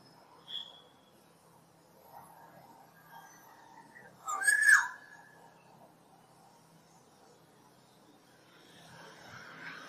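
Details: A wild Black-naped Oriole in forest gives one thin high whistle and then a short, mellow fluted phrase midway through; the forest background is otherwise quiet.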